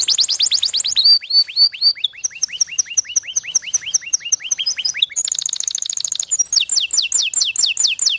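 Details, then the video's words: A canary's song shifts between tours: quick high down-slurred notes, a run of evenly spaced rising-falling whistles, then a dense rapid rattle and a final set of sharp descending chirps. "Canario cantando. Canary singing"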